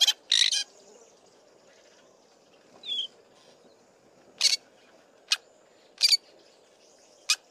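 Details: A male fork-tailed drongo gives loud, harsh, scratchy song notes at irregular intervals, softly mimicking other birds with short whistled phrases in between.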